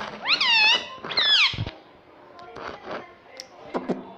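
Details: Talking pet Indian ringneck parrot indoors, two loud harmonic syllables that rise and bend down, followed by softer clicks, taps and faint murmurs.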